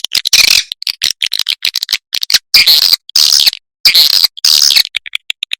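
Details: Swiftlet calls played as a lure: loud harsh buzzy bursts mixed with rapid chittering notes, ending in a string of soft short chirps.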